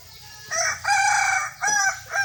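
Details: Short burst of loud crowing from a kukuak balenggek rooster in a crowing contest: a brief note, a longer steady ringing syllable, then two more clipped syllables.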